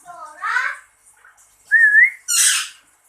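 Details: Lory answering its owner's call: after soft voice-like chatter comes one clear rising whistle, then a loud harsh squawk.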